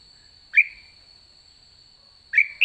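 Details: Caged red-whiskered bulbul late in the season: two separate short, sharp whistled notes about two seconds apart, the second followed by a quick rising note, over a constant faint tone.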